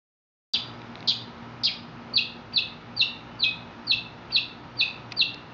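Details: Mexican mockingbird singing: a sharp, high, downward-slurred chip repeated about twice a second in a steady series over a quiet low hum.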